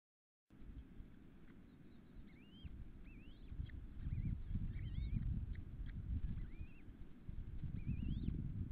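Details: Osprey at a nest 2 km west of Nelson, British Columbia, at 7:50 am on 15 June 2014, as a third chick hatches; about eight short rising whistled chirps in loose series over a heavy low rumble of wind or noise.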